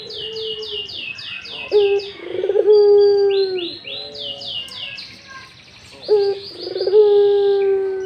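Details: Barbary dove in breeding mood giving rolled, drawn-out low coos, two full phrases, while other small birds chirp rapid high repeated notes throughout.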